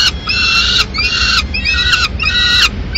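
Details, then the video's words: Peregrine falcon at a Madrid nest in mid-morning as the female arrives with leftover pigeon; four drawn-out, raspy harmonic wails, each about half a second long, separated by short pauses. "Halcón peregrino"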